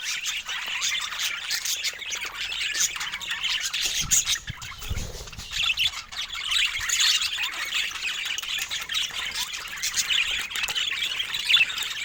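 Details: Flock of budgerigars giving busy, overlapping warbling chatter of buzzy chirps and squeaks, with a dull low thump partway through.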